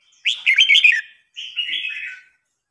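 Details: Red-whiskered bulbul in a singing contest, an older bird challenging a young newly caught one. Two loud warbled phrases: the first a rich burst of quick rising and falling whistled notes, the second a shorter, smoother whistled run after a brief pause.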